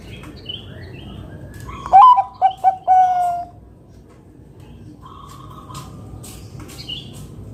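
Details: Zebra dove (perkutut), a loud local bird, delivers one cooing phrase of a rising note, three quick notes and a drawn-out coo, then quiet with faint distant chirps from other birds; used to lure other doves to sing.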